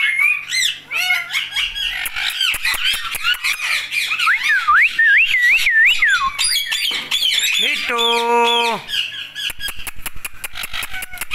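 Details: Talking Indian ringneck parakeet: harsh squawks and twisting, warbled speech-like phrases in a high register, rapid clicks, a steady buzzy tone near the end, indoors.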